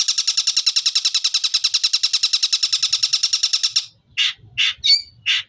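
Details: Long-tailed shrike singing 'Tengkek Buto' material: nearly four seconds of rapid, evenly repeated high chattering notes, about twenty-five per second, followed by four loud, harsh, buzzy shrieks.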